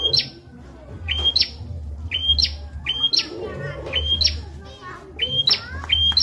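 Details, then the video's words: Bar-winged prinia masteran song for other cage birds: shrill rising whistled notes with sharp high endings, repeated about once a second, some faint buzzy notes between, over a low hum. "Burung Prenjak Masteran Viral Buat Murai & Ijo"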